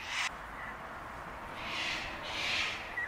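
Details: Sulphur-crested cockatoos at Bundanoon station, Australia, in June 2021, a sociable parrot that flies in sizeable flocks screeching at one another; a harsh broadband screech opens, then two more drawn-out raspy screeches follow, with a faint higher note at the end.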